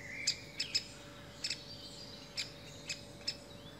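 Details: Great spotted woodpecker with young: sharp, short clicking notes, single or in quick pairs, spaced irregularly about half a second to a second apart, over a faint steady background hum.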